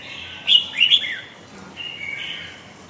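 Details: Red-whiskered bulbul singing in the huế gọng dài style: a short burst of bright, slurred whistles, falling at the end, then a softer sustained warble.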